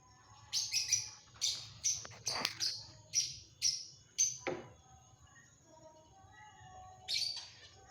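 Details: Long-tailed shrike uttering a series of sharp, scratchy chattering notes, about seven in quick succession, then a pause and a single final note.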